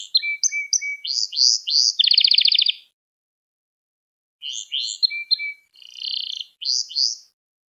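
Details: Canary song intended to train young canaries: chattering phrases of short sweeping notes and a rapid buzzy trill, a pause of over a second, then similar varied phrases.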